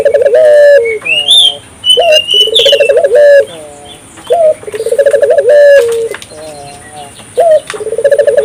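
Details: Lively African collared dove calling to stir local doves into calling, repeating its pattern about every two and a half seconds: a short note, a bubbling trill and a long coo, with rising whistles and chirps from small birds.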